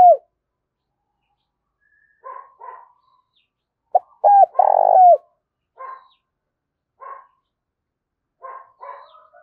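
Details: Spotted dove kept as a decoy bird, cooing to call wild doves: a brief coo at the start, then a loud run of deep, rounded coos mid-clip, with quieter clipped notes scattered between.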